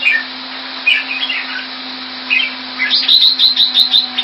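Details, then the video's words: Singapore-kept red-whiskered bulbul, caged in Thai style, February 2018: scattered slurred whistles early on, then a quick run of about eight sharp repeated high notes at the end, with a low steady hum throughout. "นกหัวจุก - Singapore play Jambuls Thai style"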